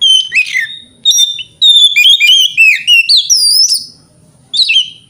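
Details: Loud, clear whistled phrases from an Oriental magpie-robin singing in the morning to provoke rivals: sliding up-and-down notes in quick bursts, a pause, then one more bright rising-falling whistle.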